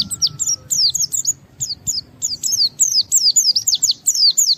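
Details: Japanese white-eye (pleci) in full gacor song, challenging a rival to set other white-eyes singing: loud, high, repeated down-sweeping whistled slurs in quick bursts, a short gap near the middle.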